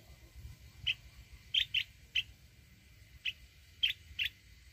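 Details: Mountain red-whiskered bulbul in forest-voice rousing mode. Short clipped chirps come singly and in pairs at irregular intervals, about seven in under five seconds, over a faint low hum.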